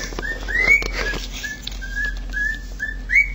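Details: Male pet cockatiel imitating a siren indoors, producing a run of rising whistled swoops and level whistled notes, repeated roughly every half second, over a low room hum.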